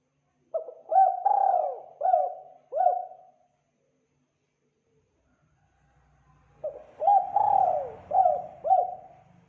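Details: Spotted dove call, clean recording for luring birds: two cooing phrases several seconds apart, each a run of about five low, hollow coos with a longer drawn-out note early in the phrase. Background otherwise quiet, with faint low rumble.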